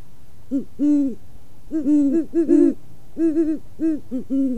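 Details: A male and female Great Horned Owl court in October–November at a perch in Waukesha, Wisconsin, singing together: deep, soft hoots, about ten in quick overlapping bursts, some doubled or quavering, some off-camera, over a faint low rumble.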